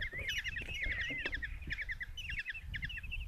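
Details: Common kestrel nestlings, five in a Hungarian nest box at Tiszalök, begging while the mother delivers a mouse on a June 2024 morning: dense, excited trills of sharp high notes with wavering whines and low rustling beneath.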